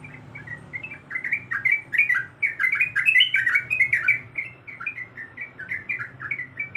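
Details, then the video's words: Sooty-headed bulbul female in breeding condition calls to a male in a lively, dense chatter of sharp rising and falling chirps, loudest in the middle, then a lighter run of notes, over a low hum. "Suara Dan Nyanyian Trucuk Gacor Yang Merdu"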